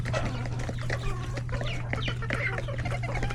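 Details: Coop full of chickens, roosters and chicks during busy feeding time: rapid chirps and clucks overlapping constantly, with short rising peeps, over a continuous low hum.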